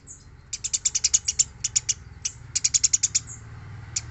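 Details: Eurasian tree sparrow chirping busily as training song for other birds: uneven series of crisp, high, clicking notes, a dense run near the middle and scattered single chirps, a soft low background hum.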